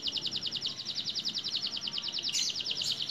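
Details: Young canary that has just found its adult voice sings a rapid train of high, curved chirps repeated steadily, with two brief sharp higher notes near the end and soft low background noise.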